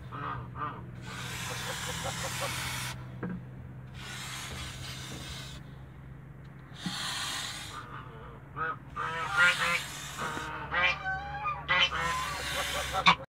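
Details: A gander protecting its family in a Greek farm backyard; long stretches of broad hissing noise alternate with irregular harsh honks, which grow louder and more frequent toward the end.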